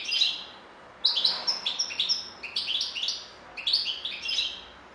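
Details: A European goldfinch sings a fast, tinkling run of clipped high notes, broken by brief pauses into two or three lively twittering stretches.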